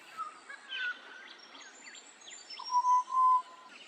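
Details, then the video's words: Pied Butcherbird at Lake Samsonvale or Samford, south-east Queensland, one morning, calling with its whole body: clear, flute-like whistles ending in two long, steady, even-pitched notes, with faint higher chirps from other birds behind. "Here's a Pied Butcherbird. I love how they use their whole bodies when they call."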